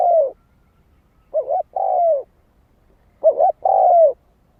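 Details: Luring song of a spotted dove: soft, hollow coos. Each phrase opens with a quick doubled note and ends in a long downward-sliding croon, about three phrases in close succession.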